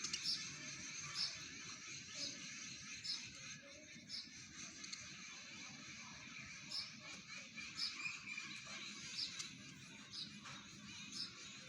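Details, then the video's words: House sparrows in India chirping in a busy flock, a dense high chatter of short, bright chirps overlapping throughout with no clear pauses. "Indian Sparrow sound"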